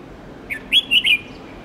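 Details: Red-whiskered bulbul song for teaching young, white-cheeked birds to learn songs: a brief whistled phrase, a faint lead note followed by three strong, bright warbled notes in quick succession, with little background noise.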